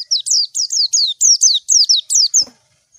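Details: High, clear chirps from a white-eye calling a rival, about eight downward-sliding notes in a fast steady run, then a brief dull knock and quiet.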